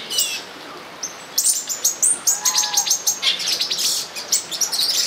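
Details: During mating in São Bento do Sul, olive-green tanagers start with scattered thin notes, then break into a fast, even sequence of sharp high chirps, with a soft lower warble briefly beneath.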